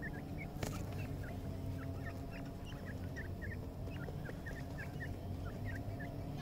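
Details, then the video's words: Feeding red-wattled lapwing chicks calling with quick, thin, downward-flicking chirps repeated in loose clusters, set against a heavy, continuous low-pitched background rumble with one sharp click early on. "Teeter chicks feeding"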